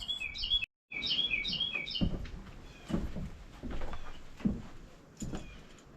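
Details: Carolina Wren singing in the background near a front porch in South Carolina gives a quick run of loud, repeated, slurred whistled phrases early on; thumps and rustling handling noise follow.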